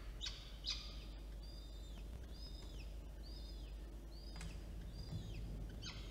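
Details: Peregrine falcon chicks, older and younger, beg during feeding by an adult, Orange, New South Wales, Australia, 9 October 2022: high, curving whistled squeals in quick succession mixed with sharp clicks, over a low hum.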